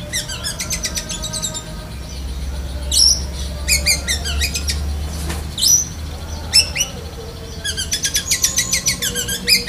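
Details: Black-breasted White-rumped shama, caged, cotton-wad style song with lovebird mimicry: long runs of rapid staccato harmonic chirps broken by sharp squeaky bursts, low hum in the first half.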